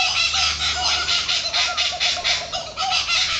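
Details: Laughing Kookaburras in trees give a loud, harsh cackling chorus of rapid chuckles, several notes each second, rising and falling without a break.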